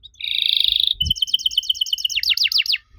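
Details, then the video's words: Canary song used as a lure to make young canaries answer: a buzzy steady trill, then a quick series of repeated bright notes ending in fast down-slurred sweeps, with a brief low thump near the start. "Pancingan Jitu! Kenari Muda pasti nyaut kalo denger suara aneh kenari ini."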